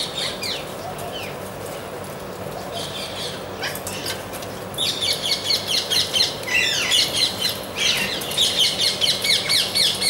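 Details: Amazon parrots with sparse squawks at first, then a loud burst of rapid, raucous screeching calls repeated in pulses, several birds overlapping.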